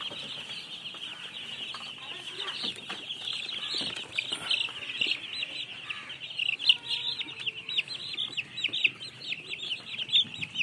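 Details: Baby chicks chirping in a group, a dense chorus of high, rapid peeping notes overlapping continuously, with a few louder sharp cheeps near the end and faint clicks and knocks underneath.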